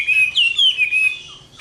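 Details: Caged Chinese hwamei giving a fighting song at summer midday, a single long, clear whistled phrase that slides up and then down and fades out toward the end.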